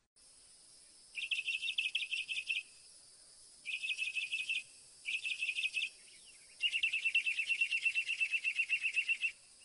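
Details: Northern mockingbird delivering buzzy, rapidly pulsed trills in four bursts separated by short pauses, the last burst longer and slightly lower, over a steady faint high hiss.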